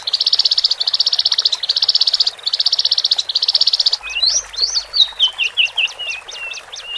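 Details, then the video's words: Song of male and female Horsfield's bush larks, played to relax a caged bird fresh from its flock: five even high buzzy trills, then a run of sharp, falling and rising slurred whistles. "Pancingan Branjangan Jantan Dan Betina"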